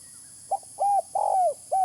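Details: Close spotted dove call for luring: a short clipped note, a rounded coo, a long drawn-out coo that slides slightly downward, then another coo beginning, all low and mellow over light hiss.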